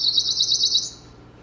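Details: Cerulean warbler song played through a speaker at a lecture in West Virginia, a bird of the high forest canopy: a fast high buzzy trill, slightly rising at the end, lasting under a second, with faint room hum.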